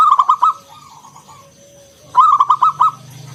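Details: Zebra dove of local wild stock in ngalun kung bulat song used to prompt other doves: two short strings of about five throaty, rolling coos, a faint thin whistle running through the background.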